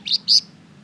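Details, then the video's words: Flamboyan bird, sound used as a lure for other birds: two quick, sharp, high chirps, the second longer and louder. "Suara pancingan burung Flamboyan gacor terbaik , pasti nyaut di masteri Flamboyan GACOR ini"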